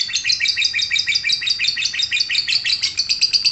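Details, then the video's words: Lovebird in ngekek song: an unbroken, rapid, high-pitched chattering trill of buzzy notes, wavering slightly up and down and running steadily throughout with no pauses. "Cek - cek cer Lovebird langsung ngekek"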